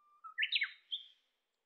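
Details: Wild Japanese bush warbler singing in July on a Shin'etsu highland in Japan: a steady low whistle sliding into a sharp rising-falling flourish and a brief clear final note, in quiet surroundings.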